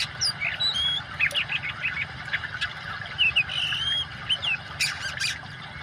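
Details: Oriental magpie-robin song paired with water sounds, offered as therapy for birds that have stopped singing: scattered high thin whistles, buzzy chirps and a few loud slurred notes in irregular bursts over steady water noise.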